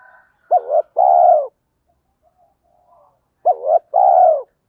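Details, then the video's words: Loud, clear spotted dove coo from a decoy bird for attracting wild doves. A wavering double note and a long, falling, throbbing coo come twice, about three seconds apart. "tiếng thúc + gáy gọi giọng to rõ [ tiếng gáy tập bổi và mồi nổi nhanh và bền bỉ ] chim cu cườm gáy"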